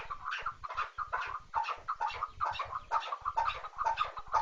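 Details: Chukar partridge calling with a rapid series of short, harsh clucking notes, about two per second, in a steady rhythm through the clip.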